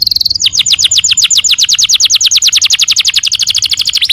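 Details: Canary singing a long, even series of rapid downward-sliding whistled notes after a short opening tone, sounding like a bright rolling trill.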